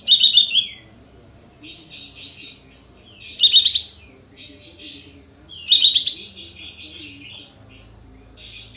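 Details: Sooty-headed bulbul, kapas tembak type, in full tail-spreading song used as a lure to provoke other birds into rapid 'shooting' song; three loud bursts of rapid trilled notes about every 2.5 seconds, with quieter warbling between.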